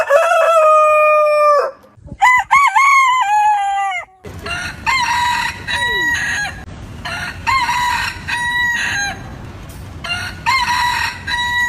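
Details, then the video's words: A rooster's long, bright crow and a stuttering second crow are followed by repeated crows at roughly two-second intervals over a steady noisy background, heard in backyard heritage chickens. "Chicken Crowing Ayam Berkokok Con Gà Gáy"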